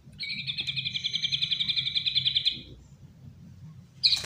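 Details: A white-rumped shama kept as a pet, loose on a sofa, delivers a fast, even high trill lasting over two seconds, then a short sharp note after a pause, with low room hum beneath.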